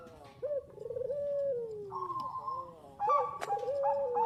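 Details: Bangkok zebra dove cooing for a lure recording. A low rising then slowly falling rolled coo is heard over background noise, with a higher held note and a sharp click near the end.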